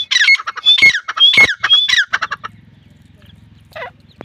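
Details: Grey francolin chicks, known locally as teetar, calling in a dense burst of sharp, squawky notes with downward-slurred whistles over the first two seconds, then a low steady hum and a few faint chirps.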